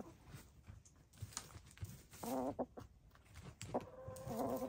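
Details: Several gray, lavender, blue and black hens taking a dust bath. Drawn-out, tonal, slightly wavering calls arrive in two phrases near the end, over faint scuffing of dirt.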